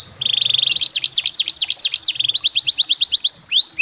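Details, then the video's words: Canary master song of the fancy melodic style, meant for training young birds: a rapid high trill turns into sweeping rising and falling whistled notes, then a string of quick upslurs and a closing rising whistle. "MASTERAN KENARI CENGKOK MEWAH!!! BIKIN PAUD DAN BAHAN CEPAT GACOR!!!"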